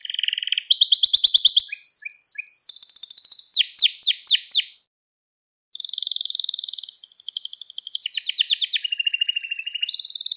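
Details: Canary in full song, recorded to train young canaries: quick high trills, a loud run of steeply falling swept notes, a second-long silence, then a long buzzy roll dropping to a lower trill and a closing whistle.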